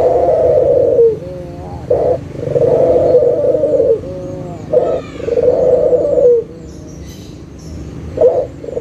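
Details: Local Barbary dove, a lure recording to make lazy, silent doves start calling again: deep, rolling coos about every second or two, each a rough hum ending in a short downward slur, with quiet gaps between.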